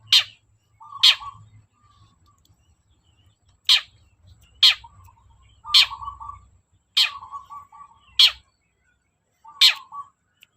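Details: Long-tailed shrike in full song, played as a lure to get reluctant shrikes singing: sparse, sharp high bursts, each trailing into a low buzzy rattle, spaced irregularly several seconds apart.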